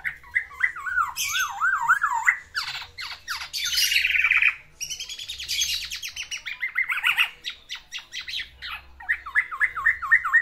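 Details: A kept black-naped oriole singing vigorously to woo a female, mixing wavy, rolling whistled phrases with harsh buzzy bursts and rapid chattering notes, then returning to the looping whistles at the end.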